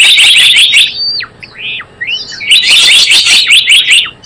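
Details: Java sparrow trapping lure: a loud run of quick shrill chirps, then a few drawn-out swooping whistles, then another dense chattering burst.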